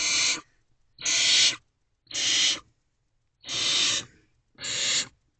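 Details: Barn owl young in nest box at night on 12 May 2023 as the adult male arrives with food; five loud, breathy, rasping screeches with roughly one-second gaps, nothing else heard.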